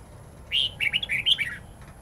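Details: Wild forest-style song of a red-whiskered bulbul, long and twisting, played for young birds to learn. It opens with a strong sustained whistle, then a rapid sequence of five or six rolling, up-and-down warbled notes over quiet background hiss.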